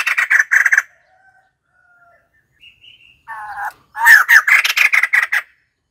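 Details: Raucous cackling from a white-crested laughingthrush: a short harsh burst, near silence broken by thin whistles, a nasal low chatter, then a loud tumbling run of strident laughing notes.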